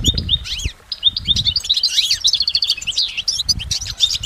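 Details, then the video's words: In nature, a goldfinch pours out quick, liquid twittering with swooping slurred notes and short buzzy trills, over soft low thuds in the background. "Exceptional recordings of the goldfinch in nature"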